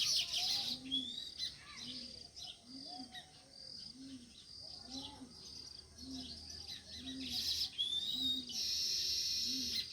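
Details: Natural sparrows chirping: short high chirps and twitters over a steady run of evenly spaced high pulses, roughly one per second, with a faint low hum beneath.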